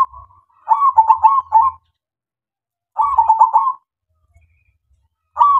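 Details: Local zebra dove song used as a lure to make other doves sing: low rolling cooing phrases of several quick throbbing notes, repeated every two to three seconds.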